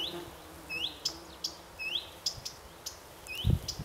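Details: A mixed brood in one nest, a common cuckoo chick and six common redstart chicks, gives thin, rising, upslurred chirps about every half second, with sharp ticks between and a soft thump near the end.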